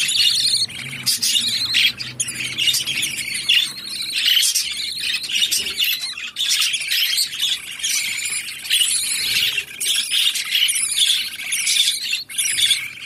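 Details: Several budgerigars, blue and white parents with seven young, keep up a dense stream of high, scratchy chirps and warbling chatter.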